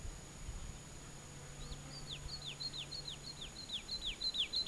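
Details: Woodlark singing from a cork oak over its territory, a fallow field in southern Alentejo, Portugal, 9 a.m., 12 June 2010, about 20 m away: a quickening run of about a dozen fluty, down-slurred notes in under three seconds, over faint low rumble.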